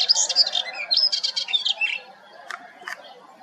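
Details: Melodious warbler in song at Hegenheim, France, June: a quick two-second burst of chattering, twittering notes, then quiet with two sharp clicks.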